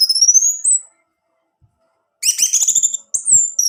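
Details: Orange-headed thrush song for stimulating a caged male: a long high rising whistle, a pause, then a harsh rapid chatter followed by sharp upslurred whistles.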